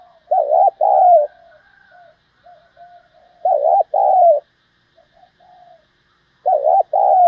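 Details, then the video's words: Cooing spotted dove in the thổ voice style, kept for stimulating decoys and training lure birds for trapping: three strong two-part coo phrases roughly every three seconds, separated by quiet, low, wavering coos. "tiếng cu gáy giọng hay dùng kích bổi và tập mồi"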